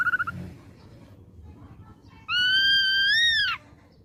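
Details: A young ashy drongo taken from the wild: a brief trilled note, a quiet gap, then one loud, ringing whistle rising gently before dropping sharply at its close.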